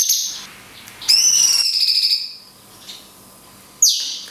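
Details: Cungkok singing the 'tembakan kunti panjang' style with natural pauses, a tutor recording for songbirds: a few loud, high, sharply descending whistled notes with long quiet gaps. A faint steady hum sits underneath.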